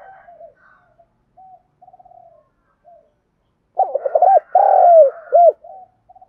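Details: Decoy spotted dove calling wild doves: soft, faint coos drift in first, then one loud phrase of quick stuttered notes, a drawn-out falling coo and a short clipped ending.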